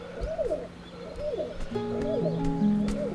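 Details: Courtship cooing of a male Hill Pigeon, heard briefly before foraging. Rising-then-falling arched notes come in quick succession, and sustained music tones join partway through.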